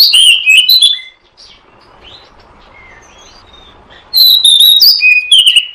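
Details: Oriental magpie-robin played as a trapping lure: a loud burst of sweet whistles and chips, a long quiet stretch with only soft distant notes, then another strong run of high, clear whistled phrases.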